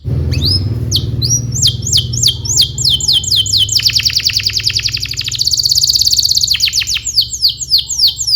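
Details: Long-duration canary song for tutoring young canaries: series of sweeping chirps, followed by sustained rapid rolls and trills, then more downward-sweeping notes.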